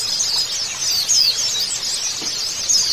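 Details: White-eye song used as therapy for a young or silent bird to get it singing: a dense, continuous mass of thin, high twittering and quick slurred whistles, many overlapping phrases with no pauses.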